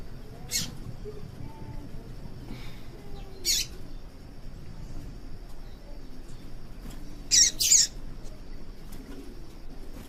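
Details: Call of a female yellow-bellied seedeater, used to warm up males for singing contests: brief, bright, high-pitched chips, single and then a quick close pair, with faint low murmuring behind.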